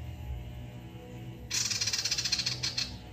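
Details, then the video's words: Male sirtu singing lively to draw out other birds: after a quiet hum-filled opening, a sudden dense burst of fast, hissy, rattling notes pulses about four times per second. "SIRTU JANTAN FULL NEMBAK GACOR MEMANCING BUNYI SIRTU BAHAN AMPUH"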